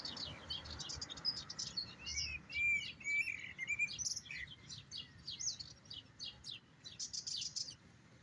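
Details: Goldfinch singing session: quick tinkling twitters and short buzzy trills run together at a brisk, uneven pace, with steady background noise throughout.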